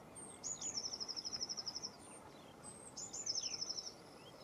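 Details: Two phrases from a Lesser whitethroat, each a thin lead-in note followed by a fast, even, dry rattle of repeated clipped notes, the second shorter, over soft background hiss.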